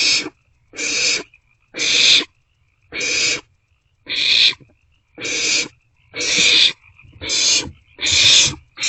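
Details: Barn owlets in a nest box on 27 March 2024, after 1:47 am, sharing a meal. Harsh, breathy hissing screeches about half a second long, nine in a row at roughly one per second, with uneven gaps.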